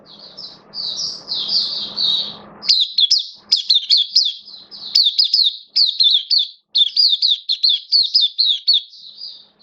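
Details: Caged oriental white-eye kept as a hobby songbird, recorded 11 September 2022 while in slightly dipped form: rapid high warbled phrases of twittering notes with brief pauses, over a faint low hum in the first seconds.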